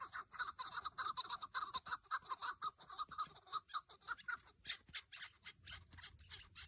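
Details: Partridge call heard during rooftop partridge hunting on 30 March 2024; rapid repeated clucking chatter, about two notes per second, fading slightly toward the end.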